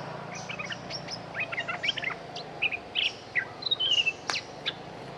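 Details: Streak-eared bulbul, a dominant local bird with a good voice, giving a fierce, lively lure song: quick bursts of short chirped and warbled notes, some sliding downward, spaced irregularly over five seconds above a steady low hum.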